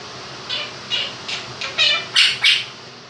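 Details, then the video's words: Two-year-old male Quaker parrot kept as a pet, imitating the 'do-do-do' music of 'If You're Happy and You Know It'. Seven harsh syllables come in quick succession, growing louder toward the end, over a running fan. "the Quaker Parrot sings 'Happy And You Know It'"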